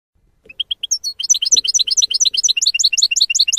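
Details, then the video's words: European goldfinch song in the F.O.C.S.E style, used to teach young goldfinches to sing: a few separate high chirps, then a fast, unbroken, tinkling twitter of bright notes jumping between pitches, roughly two notes a second and quickening. "CD JILGUERO F.O.C.S.E 30min para educar a jilgueros noveles. Chardonneret Goldfinch"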